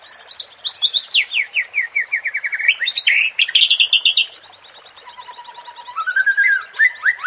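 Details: White-rumped shama singing, a recording meant to rouse competing birds: a long falling series of rapid whistled notes, a pause, then a low steady whistle that climbs into rising slurred phrases.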